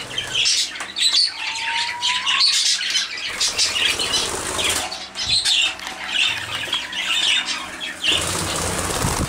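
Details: Zebra finches in warm weather give short nasal calls amid bursts of fluttering wings.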